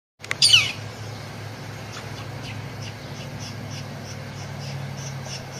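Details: Northern flicker chicks calling to their parent for food: after a sharp opening sound, a steady series of faint, high, rasping pulses repeats several times a second over a low background hum.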